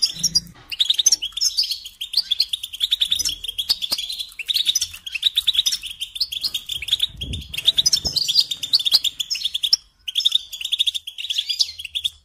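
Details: Sustained song from a caged European goldfinch: long unbroken stream of rapid twittering and chirping, with one short break near the end.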